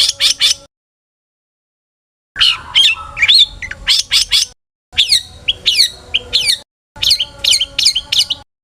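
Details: Vigorously singing long-tailed shrike, its varied song used to provoke other shrikes: short clusters of sharp chirps and twisting whistled notes, broken by silent gaps between phrases.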